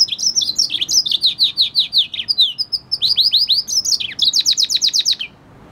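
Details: Singing F1 hybrid of red hooded siskin and canary, delivering a continuous bright twitter of repeated falling chirps in quick succession, about four per second, ending in a tight rapid trill of high notes.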